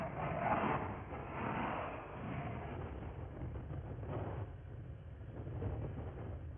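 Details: Steady engine and traffic rumble rises and falls, with no animal voice.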